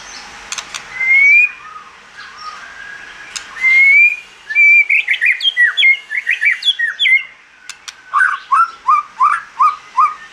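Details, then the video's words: Singing white-rumped shama, forest-style song for voice training: clear upslurred whistles, then a tumbling run of quick varied notes and a final series of short downslurred notes repeated in rhythm. "Chòe Lửa Hót Giọng Rừng"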